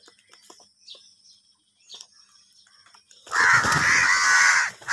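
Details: Crows fighting over food, angry: after soft clicks and faint high chirps, a loud, drawn-out, grating cry bursts in and holds for over a second, then breaks off and resumes.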